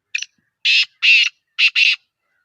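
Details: Harsh, rasping calls of a black francolin from Sindh, Pakistan. A short faint note leads into loud, grating bursts in pairs, delivered close and clear with no background sound.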